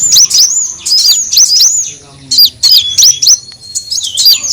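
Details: Lure sound of a kolibri wulung, a sunbird, used for attracting birds: high swooping chirps in short groups separated by quiet gaps, some notes curling down sharply.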